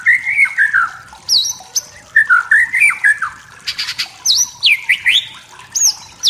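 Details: White-rumped shama from the forest singing to provoke rival birds, a rich varied song of warbled lower phrases mixed with sharp, high whistles that dive steeply downward, delivered in a rapid, continuous stream.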